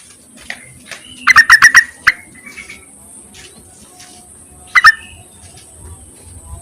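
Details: Yellow-vented bulbul calling to males, a recording meant as a lure to prompt other birds to sing. A quick burst of five bubbly, stacked notes, then a lone note and a final double note near the end.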